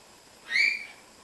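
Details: Palm cockatoo kept at Zoo Praha gives a single short whistled note that rises quickly and then holds and fades, with clear overtones, against a quiet background.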